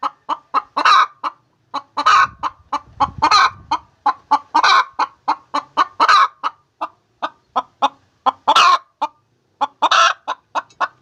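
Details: Hen calling while laying eggs: rapid runs of short clucks, about three to five per second, broken every second or so by a longer, louder, harsher squawk; a brief low rustle partway through.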